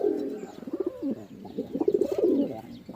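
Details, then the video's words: Close pigeon cooing: a run of deep, bubbling guttural coos with short pulsed notes, nearly continuous, sounding as if indoors. "Pigeon Sound"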